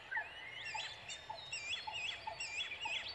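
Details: Brown Prinia chicks waiting for a parent to return from foraging give thin, high, overlapping chirps and squeaks in quick bursts, about twice a second, with some lower notes beneath, growing excited when it arrives.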